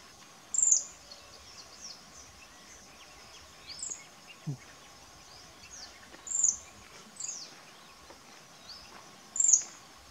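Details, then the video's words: Pale-billed flowerpecker doing its trill: very high, thin, sharp notes every three seconds or so, with softer chips between, over a faint steady background hiss. "Pale-billed Flowerpecker singing"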